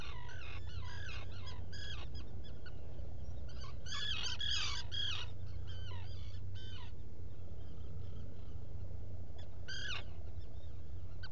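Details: Black guillemots at a nesting burrow in a rock crevice on Seal Island NWR, Maine, on the morning of 5 July 2018, picked up by a burrow camera: bursts of high, harmonic, squeaky twittering notes over a steady low hum.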